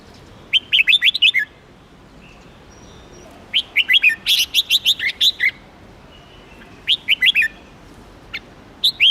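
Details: Red-whiskered bulbul repeating short phrases of fast, sweet warbled notes, four phrases with gaps in between, the middle one longer and fuller, plus a couple of isolated chirps near the end.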